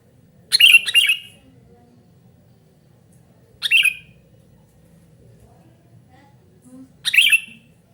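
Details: Sooty-headed bulbul calling in a recording for luring and tutoring: three scratchy, chattering bursts about three seconds apart, the first a quick double note, with a soft low background hum.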